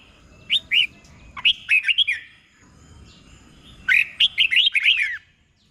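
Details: Caged red-whiskered bulbul tutor song used in Thailand for training birds, the doubled phrasing style: two bursts of bright, rapidly warbled notes sliding up and down, separated by a quiet pause.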